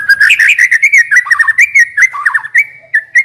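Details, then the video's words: White-rumped shama used as a decoy bird, singing a fast, continuous stream of varied whistled notes that slide and warble up and down in a rich, fluent phrase. "Chòe lửa mồi hót cực hay"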